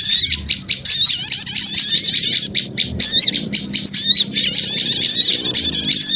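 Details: Noisy small birds in a lure recording: sharp, rapid chirps in short stuttering bursts alternating with longer stretches of overlapping squeaky twitter.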